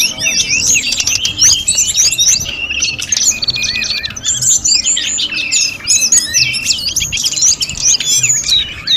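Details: Active snowy-browed flycatcher singing a training master song packed with fill-in phrases: a continuous stream of rapid high chirps, trills and whistled notes that runs almost unbroken for nine seconds.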